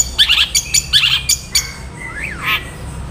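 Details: Long-tailed shrike singing in a fast, tight nyeklek style. Harsh, rattling squawk bursts are repeated in quick clusters, then a long whistled note rises and falls before a final raspy note.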